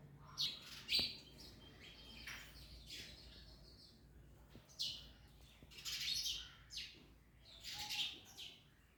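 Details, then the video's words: While eating an orange, parrots utter scattered scratchy chirps and short squawks, some faint and some sharper, spread irregularly with quiet gaps and soft background rustling. "Parrots Eating Orange (Mian Mithu Eating)"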